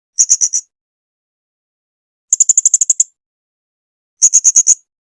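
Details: Tutor recording of a Blue-crowned hanging parrot from 2021: three short bursts of rapid, piercing high clicks, four to eight notes each, with gaps of over a second between them.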